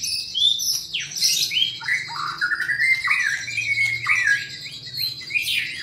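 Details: Captive white-rumped shama, albino or blorok colour form, giving squeaky, scratchy phrases and short rising whistles over a steady high ringing tone and a low background hum.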